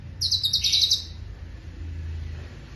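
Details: Cucak cungkok song, used as a tutor recording for training songbirds; the species is said to mimic other birds. A rapid, chattering burst of bright high notes lasts under a second, over a steady low hum.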